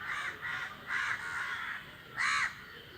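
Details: Crows calling in flight, a run of coarse, nasal caws in quick succession, with one louder, sharper caw near the end.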